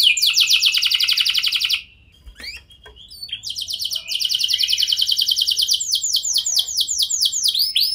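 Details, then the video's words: Singing canary used as a lure to prompt other canaries to respond: fast buzzy trill around mid-high pitch, a short pause, then long rapid rolling trills of repeated notes, clean with no other sounds. "99,99% Pasti Kenari Lain Langsung Respon Dengan Pancingan Kenari Gacor Lagu Istimewa Ini"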